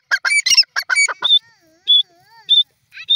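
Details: Grey francolin calling: a quick run of harsh, grating notes, then separate short clear whistled notes about half a second apart.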